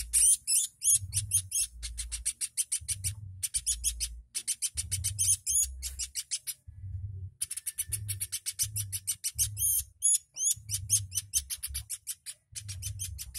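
A woodpecker gives rapid, high, sharp chattering bursts, repeated with brief pauses, over steady low thudding knocks.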